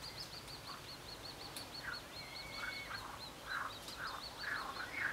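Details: At the Cambounet-sur-le-Sor regional nature reserve in France, 12 July 2014, a Northern shoveler gives rough, nasal calls in quick, uneven bursts, over a steady high, ticking series from another bird and faint whistles.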